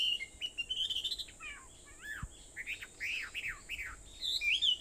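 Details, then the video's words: Birds singing on Aobayama, Sendai, at 4:30 in the morning, 21 July 2014: a rising whistled phrase, then down-slurred notes and loud arched whistles in a quick run, ending with a bright trill. "Sound of Birds on Aobayama, Sendai, 2014.7.21 (4:30)"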